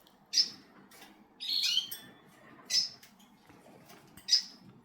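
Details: Cockatiel giving short shrill calls, three sharp high chirps spaced about a second apart and one longer rasping squawk, over a quiet background.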